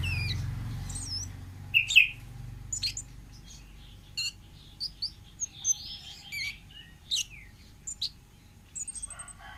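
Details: Orange-headed thrush of the forest singing a long varied sequence of sharp whistles, downslurs and short chattering notes, given irregularly with short gaps; a low hum is heard at the start.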